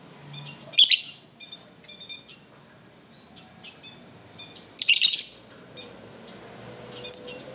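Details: Shrill, high-pitched lovebird chirping: two loud, harsh bursts about four seconds apart, with soft, thin twittering notes between them and a short sharp squeak at the end.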